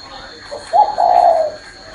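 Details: Spotted dove perched on a person's hand, cooing: one low, hollow, two-part coo lasting under a second, the first note short and the second longer and steady before fading. A faint steady hum runs underneath.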